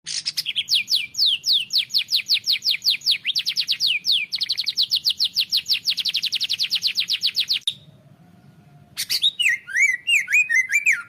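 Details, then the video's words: White-rumped shama tutor song for training other birds: long runs of fast, sweeping high notes repeated in quick series, a brief near-silent pause, then jerky rising-and-falling whistles. "masteran murai"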